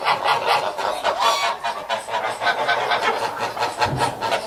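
Geese honking in a dense, overlapping chorus, harsh nasal calls repeated several times a second with no pause throughout.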